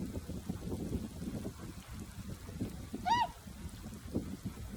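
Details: Swans resting in a flooded paddy in early spring, with a warm south wind blowing, calling in an unusual way. A single clear, arched, rich honk stands out from a steady low rumble of wind.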